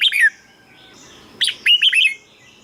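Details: Red-whiskered bulbul, singing for caged birds to respond to; a short slurred whistle, a pause, then a quick phrase of cheerful warbling notes.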